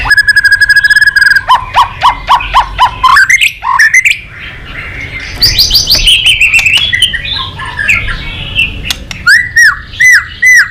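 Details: White-rumped shama in loud, complex song: a steady whistled note, rapid repeated clicks, a harsh rasping stretch, then a series of falling whistled slurs repeated about once a second.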